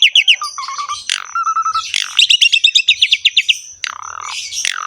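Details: Asian pied starling singing energetically with a rich fill: quick chirps, level whistled notes, then a fast run of repeated bright chips and a descending whistle, with a thin constant high tone.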